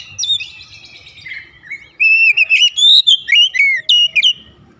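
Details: Oriental magpie-robin singing its rhythmic calling song: a soft buzzy warble first, then a lively sequence of clear, loud whistles climbing and dipping in quick succession.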